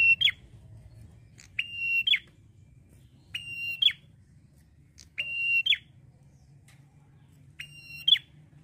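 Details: Singing male prinia, song given in the drawn-out 'ngalun' manner: clear, flat whistled notes repeated about every one and a half to two seconds, each ending in an abrupt downward slur, with faint low rumble beneath.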